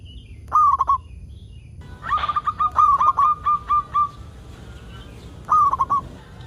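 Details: Local zebra dove singing actively, used to lure other zebra doves into song: a short rippling cluster of coos, then a longer string of roughly ten evenly spaced soft cooing notes, and after a pause another quick cluster, with a faint knock.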